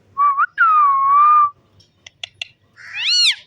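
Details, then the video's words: A green pet parrot plays with its owner, giving two long, clear whistles: a short wavering note, then a sustained level tone. Soft clicks follow, then a brief arched whistle that rises and falls. "Beautiful Green Parrot Playing & Making Stunning Sounds"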